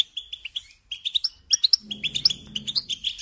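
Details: Short burst of European goldfinch tutoring song for young songbirds, crisp chirps about two per second at first, then faster tinkling notes with some higher whistles, over a faint low hum.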